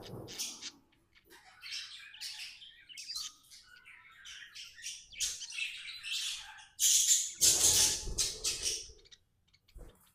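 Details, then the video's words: Happy tame budgie chattering with rapid clicky chirps, then breaking into loud harsh squawk-like bursts before quieting again. "Happy budgie chirping sounds"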